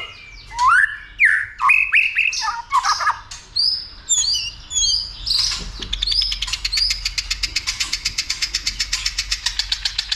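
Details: White-rumped shama goaded into fighting song: loud varied whistled phrases and upslurs, giving way to a fast steady rattle of repeated clicking notes.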